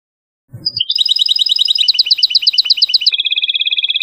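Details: Song of a European goldfinch from Tunisia, opening with a brief low thump, then a dense fast twittering of chirps that shifts into sharper paired notes and finishes in a steady, rapid buzzy trill.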